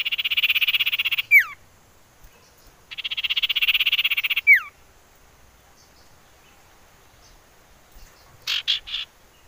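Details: Common iora used as a lure to make birds sing: two buzzy high trills of about a second each, each ending in a sharp downslurred whistle, then a short cluster of high notes after a pause.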